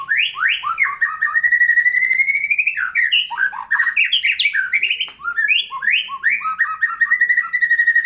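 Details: White-rumped shama singing for tutoring other birds: long sustained whistles alternate with bursts of rapid, slurred, scratchy phrases, in a loud, nearly continuous and varied song.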